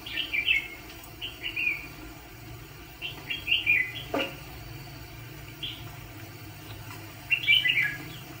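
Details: ['Red-whiskered bulbul used as a decoy to catch fighting birds sings groups of quick, cheerful warbled notes, with longer pauses between bursts and a faint background hum.']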